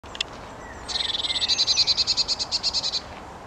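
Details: A Eurasian blue tit singing in a castle park gives a thin high note, then a rapid, silvery trill of about twenty notes lasting two seconds, over faint low background rumble.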